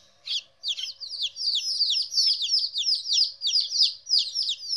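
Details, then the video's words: Chicken chicks aged 14 days, apart from their mother for the first time, giving shrill chirps. A couple of isolated peeps open, then a steady run of rapid, overlapping descending cheeps. Nothing else is audible. "Chicks Chirping Sounds - Baby Chicken Sounds"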